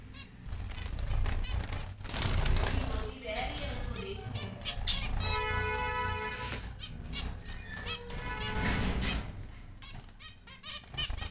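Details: Zebra finches, males and females, in a busy aviary where many pairs are nesting and laying eggs; short nasal, buzzy honking calls in bursts from several birds, with frequent wing flapping and rattling noise throughout.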